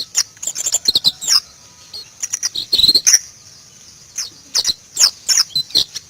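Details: White-eye (pleci), Indonesia: clusters of fast high chirps and slurred whistled twitters separated by short quiet gaps.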